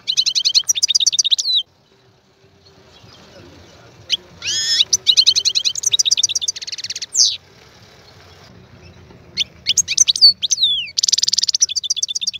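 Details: Caged European goldfinch, in a cage set up for breeding, delivers long bursts of quick liquid twitters broken by harsh buzzy trills and short pauses, with a faint low background hum.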